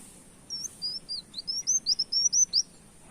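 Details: Brown-throated sunbird in full energetic song mimicking a canary, meant as a lure recording; roughly eleven quick, high, upward-slurred whistled notes, growing louder toward the end, against quiet background hum.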